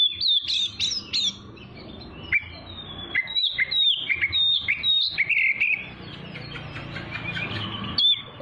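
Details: Oriental magpie-robin song, presented to train young birds and draw responses from other birds: sharp high flicks at the start, then a continuous varied warble of short slurred whistles, with soft low background noise.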